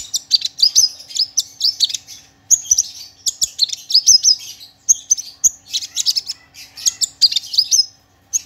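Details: Clear, varied song of the Javan bush lark, race parva, kept as a training model: a dense jumble of high chirps, slurred whistles and short trilled bursts running without pause.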